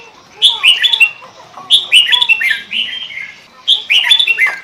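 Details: Sooty-headed bulbul (kutilang) in full lure-style singing, known locally as pikat gacor: three bursts of bubbly, fluty notes around mid-high pitch, each lasting about a second and separated by short pauses, with no other clear sounds.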